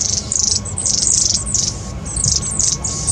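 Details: Long-tailed tits quarrelling within their flock, 26 April 2021: a near-continuous stream of high, buzzy, overlapping chattering calls in rapid bursts, with a faint steady hum and low rumble beneath.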